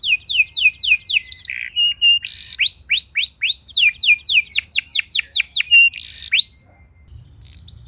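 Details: Canary song used as a lure to prompt other canaries to sing: loud runs of rapid downward-sweeping whistled notes, a buzzy trill, then repeated upslurred notes, ending abruptly in quiet.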